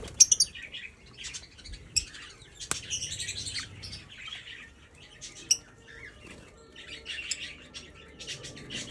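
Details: Major Mitchell's cockatoos, pink cockatoos kept in an aviary, giving scattered high, harsh chirps and screechy squawks in short bursts, with one sharp click and low background rumble.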